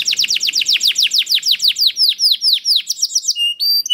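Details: Canary in full song, used to encourage other canaries to start singing: a long rapid run of sweeping downward notes that slows and spreads out, ending in short pure whistles and high chirps.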